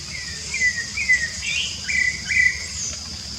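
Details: Rufous-bellied thrush singing free in nature in Brazil: a run of clear whistled phrases, some rising, some falling, in quick succession, over a steady high insect hiss.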